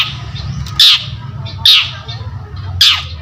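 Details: Long-tailed shrike in energetic voice, recorded as a lure for other birds: three rasping, scratchy shrieks about a second apart, each dropping slightly, above a faint low hum.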